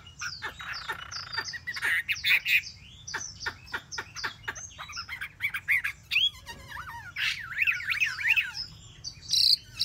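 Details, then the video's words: Chinese hwamei in a cage three months sings a mixed phrase of sharp clicks, buzzy notes and scratchy chatter, then closes with a quick series of bright up-and-down warbled whistles. "chim họa mi mcb2045 - 3 tháng lồng"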